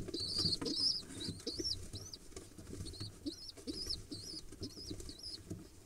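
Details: Two pigeon nestlings of a second clutch, hatched on 1 and 2 October 2021, excitedly begging while being fed on 15 October 2021: thin, high squeaky peeps repeated rapidly over soft rustling and fluttering.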